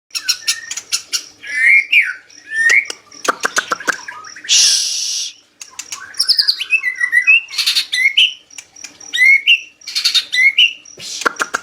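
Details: White-rumped shama of the Medan type singing vigorously: varied loud whistled phrases, some rising and falling, mixed with sharp rapid clicks and a short harsh hissing burst midway.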